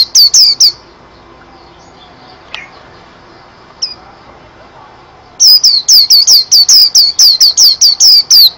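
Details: Pleci, a white-eye, sings a brief burst of high, sharp downslurred chirps, then a quiet pause with a few faint notes, before another long rapid run of piercing chirps.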